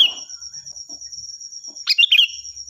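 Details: Sooty-headed bulbul singing loudly, recorded as a tutor for other birds: the tail of a warble at the start, a quiet gap with faint low notes, then one bright, rolling phrase, over a continuous high whine.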